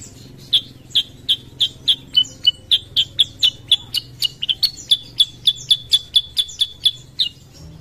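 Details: Sooty-headed bulbul (Pycnonotus aurigaster) giving a steady run of sharp, high chirps, about three a second, over a faint low hum.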